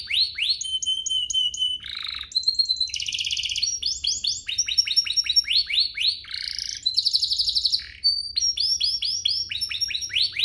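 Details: A domestic canary (Serinus canaria domestica) sings a fast, continuous run of high rolls, trills and rapid downslurred chips, changing phrases every second or so, with no other sounds; used as a lure recording to excite other canaries into singing.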